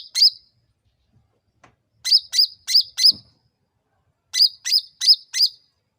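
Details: Sooty-headed bulbul, used to provoke other birds into answering, giving sharp chirped notes that each dip and rise. One note, then a run of four, then another run of four after a pause, against a silent background.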